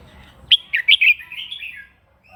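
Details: Red-whiskered bulbul giving a morning fighting song, used to stir other birds and train the voice: a short, loud burst of bright, warbled whistled notes, quickly repeated, then a quieter trailing twitter, with faint background hum.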